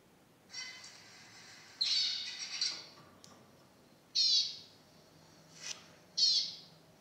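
A zebra finch gives nasal, buzzy high notes in short bursts about every two seconds, with harsher rasping phrases between them.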